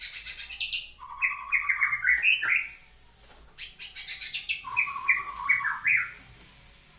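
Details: {'caption': 'White-rumped shama, a caged bird singing freely after moulting, delivering rapid varied phrases of bright chirps and whistles stepping between mid and high pitch, with a brief gap before a second burst.'}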